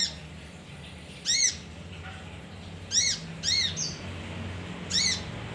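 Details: Lure recording of a male kinoi, or leafbird: four sharp arched chirps, two of them close together near the middle, separated by pauses of about a second or more, against faint background hum.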